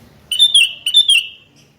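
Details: Challenging call of a sooty-headed bulbul toward a rival: two quick phrases of bright, wavering whistled notes, each phrase of two or three syllables, separated by a short pause, fairly clean background.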